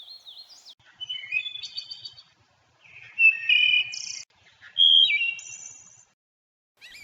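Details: A Wood Thrush at Natural Tunnel State Park sings three rich, flute-like phrases like a wooden whistle, each of a few clear notes ending in a high, shimmering trill, about two seconds apart.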